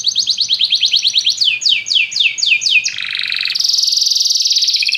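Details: A chorus of canaries set off by music sings a quick rolling trill that slows into broad downswept notes, then switches to a low churr and a high continuous rattling roll.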